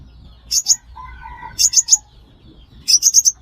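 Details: Sunbird calls for use as a trapping lure: short groups of two to four sharp, very high, flicking notes, with a soft lower whistle between groups.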